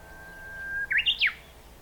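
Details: A Japanese bush warbler on 26 May 2019 gives a long, steady low whistle, then three quick, bright notes that leap upward and flick down, the classic hoo-hokekyo phrase.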